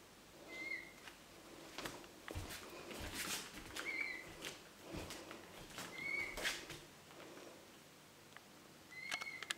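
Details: A peafowl chick, hatched in an incubator and imprinted on its owner, chases after the owner, giving short, high, whistled peeps singly or in pairs a few seconds apart; soft footsteps and rustling between calls.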